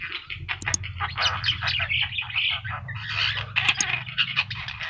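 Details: Master recording of a yellow-eyed Javan myna singing: busy scratchy chatter with sharp clicks and squeaky whistled notes throughout, over a faint low hum.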